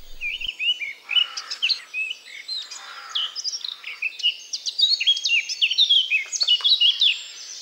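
Blackcap song: a rich, hurried warble of clear fluty whistles and scratchy notes, jumping quickly between high and low pitches without pause.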